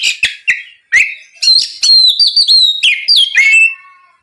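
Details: Oriental magpie-robin singing loudly to bait a rival: opening sharp clicks, then a fast tumbling sequence of warbled whistles and slurs, closing on a descending whistled tail.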